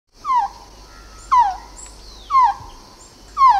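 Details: Quetzal calling: a slurred, whistled note falling from high to lower pitch, repeated about once a second, four times, over a faint steady background hiss.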